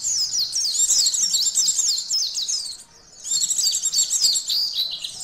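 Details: White-eye song played to test emotion and arousal: fast, high-pitched twittering with zigzag chirps at about four notes a second, a short silent gap midway, then renewed busy chatter.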